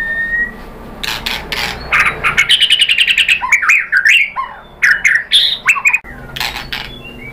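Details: White-rumped shama singing as a lure to provoke a rival into song. A faint whistle and scratchy bursts lead into a fast repeated trill, then looping, swooping whistled phrases and sharp chips.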